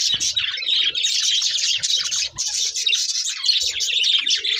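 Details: Pet budgerigars sing during feeding with a loud, continuous twittering warble of fast squeaks and buzzes, briefly dipping near the middle, plus a few soft lower murmurs.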